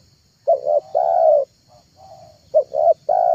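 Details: Spotted dove lure call: two cooing phrases, each a short note and a rounded second note running into a long, even, low coo, with a faint softer coo between them.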